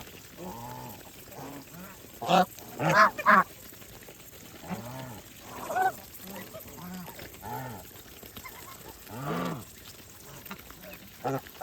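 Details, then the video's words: Several farm geese while eating trade repeated low, nasal honks and a burst of louder harsh calls, the notes coming every second or so over steady background noise. "Geese life with natural sound"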